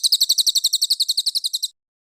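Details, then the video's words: A cililin, from a master recording for training competition songbirds, gives a short burst of about seventeen crisp, high, chirped notes in under two seconds, then falls silent. "Masteran Cililin Premium: Suara Gacor Juara untuk Burung Lomba!"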